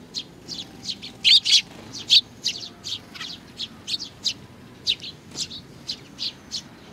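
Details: Sparrow adult and chick, 3 July 2019: a lively string of sharp, high twittering chirps, two louder notes early on, then evenly spaced chirps continuing to the end.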